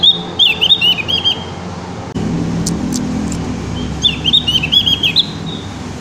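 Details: A Javan grey-throated white-eye in song practice, giving short runs of high, rapid twittering notes at the start and end, with a low rumble and brief sharp noises between.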